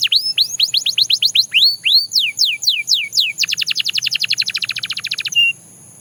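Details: Belgian canary in song: a series of rising and falling whistled slurs, then a rapid rattling trill of short downward strokes, ending in a brief steady whistle. A thin high tone sounds in the background.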